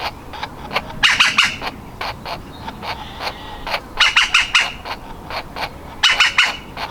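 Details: Baby woodpecker on the verge of leaving its nest hole gives bursts of rapid harsh chatter with isolated softer notes between, the bursts returning about every three seconds.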